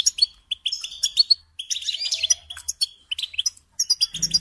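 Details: Goldfinch singing, a recording meant for training young songbirds: rapid liquid chirps and chattering trills in short phrases separated by half-second gaps, with a low hum entering at the end.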